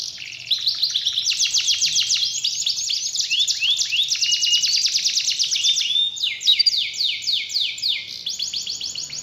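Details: Canary song serving as a lure so a quiet, lazy canary starts singing again: a soft start, then a loud stretch of rapid rolling trills and repeated descending whistled notes, shifting tempo several times.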